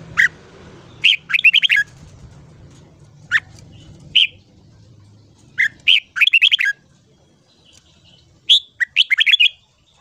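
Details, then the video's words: Voice-training morning song of a red-whiskered bulbul: single sharp chirps and quick warbled clusters spread over ten seconds with longer silences between, faint low hum early on. "Luyện giọng chào mào hót sáng. Kích ché kích thích bổi giọng dài."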